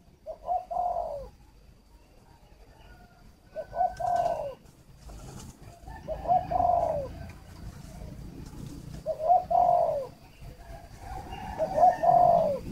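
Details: Spotted dove decoy from a Ba Vì, Hanoi aviary in northern Vietnam, calling for luring: fairly distant, low cooing phrases about every three seconds over steady background hiss and faint hum.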